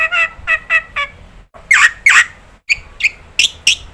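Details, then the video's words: Black-winged starling, a vocal bird whose shriek prompts other starlings to join in: series of harsh, raspy squawks with buzzy overtones, first four quick short notes, then louder drawn-out screeches and rapid clipped calls separated by brief silent breaks. "Jalak putih gacor Sekali teriak semua jenis burung jalak ikut bunyi"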